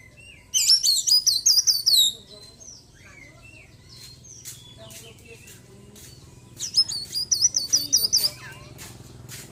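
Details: ['Caged white-breasted Oriental magpie-robin after moulting, in daily care, singing vigorously with imitations of small birds: two bursts of fast, high, looping whistled notes, separated by a quieter gap with soft chips and a low steady hum.']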